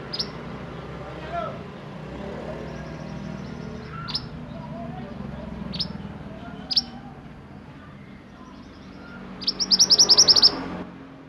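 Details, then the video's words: Sunbird (burung mantenan) in energetic roll nembak song: sharp isolated high chips spaced a second or two apart over a steady background hiss, ending in a rapid ringing trill lasting about one second. "Burung mantenan gacor roll nembak untuk masteran"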